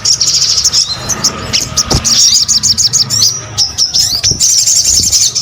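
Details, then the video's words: Energetic gacor song of a sogon: dense, very high chirps and quick trills pour out almost nonstop, with a few sharp clicks and faint low rumble underneath. "SUARA SOGON GACOR"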